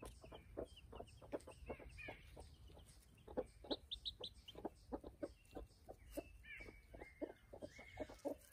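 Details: Ten-day-old baby chicks in June 2020, a steady stream of short soft clucking pips several times a second, mixed with brief high peeps, some overlapping, from a group of birds calling together.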